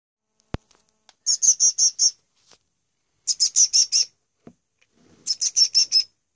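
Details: Young bird chick being hand-fed on its second day in care, 28 May 2015, gives bursts of five or six very high, shrill, rapid chirps, three bursts about two seconds apart, with faint clicks between.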